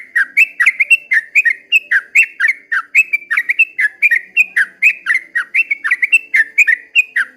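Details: Yellow-vented bulbul heard at first light delivering ropel panjang, a long continuous song of bubbly, fluty notes, each slurring up or down, strung closely together with no break.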